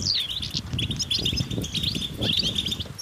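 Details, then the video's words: European goldfinches in a group, twittering in natural surroundings with mating calls said to rouse silent males into song; quick high chirps and rolling trills over steady low background rumble. "بتبتة جماعية رهيبة للحسون وسط الطبيعة"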